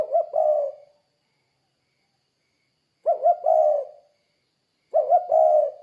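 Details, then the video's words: Spotted dove, vigorous 'kuk' coo used as a lure to prompt other doves into calling: low mellow phrases of two quick looping notes and a longer purring coo, repeated about every two to three seconds in silence. "Suara Burung Tekukur Gacor Kuk 2 Untuk Pancingan Derkuku Biar Cepat Bunyi"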